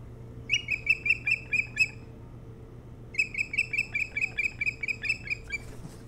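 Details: Osprey at its nest on Hog Island near Bremen, Maine, filmed by nest camera on 07-03-2018 around 04:36 to 05:06: two rapid bursts of shrill, evenly repeated chirps, about seven then about eleven notes, over a steady low hum.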